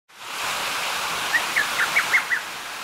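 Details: Lesser cuckoo (Cuculus poliocephalus) calling in Toki, Gifu Prefecture, Japan: a quick phrase of about six sharp whistled notes in under a second, over the steady rush of running water.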